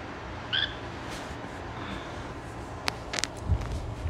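A cockatiel gives one brief, bright chirp over a low background hum.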